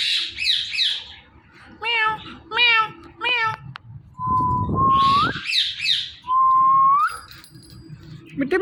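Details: Indian ringneck parakeet, a talking pet, mixes hoarse squawky bursts and nasal meow-like syllables with two long level whistles ending in upward sweeps, over some low rumbling background noise.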